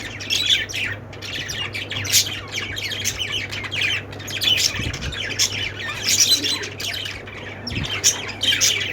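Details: A busy group of budgerigars keeps up a nonstop twittering of high, rasping chirps and squeaks. Louder bursts come every couple of seconds, over a constant low hum.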